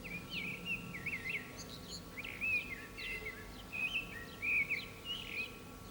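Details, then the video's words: Common blackbird singing from an antenna in the town centre of San Martín, Zamudio, Bizkaia, on 18 April 2019; fluting, warbled phrases around the mid-high range repeat in short bursts with pauses, over a faint steady hum. "ZOZOA ANTENAN ABESTEN / Turdus merula _2019.04.18_ (Mirlo común cantando en la antena _)_"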